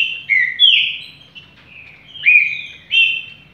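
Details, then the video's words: Green-winged saltator (trinca-ferro), kept as a fast, strong competition singer, sings loud, rich whistled phrases slurring down then up, in bursts every half second to a second, with a faint low hum behind. "Trinca ferro"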